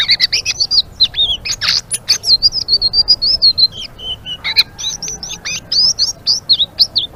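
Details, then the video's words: Chatty blue-winged leafbird song in 'ngeriwik' style, a dense stream of bright high whistled slurs and short chirps, a few harsh notes mixed in, delivered almost without break over quiet background. "Suara Burung Selendang Biru Gacor❗❗ Ngeriwik"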